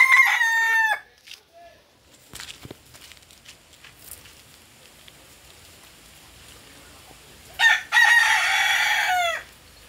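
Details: Angry rooster crowing twice, the end of one crow at the start and a full loud, harsh, drawn-out crow near the end, with scattered faint knocks and quiet between.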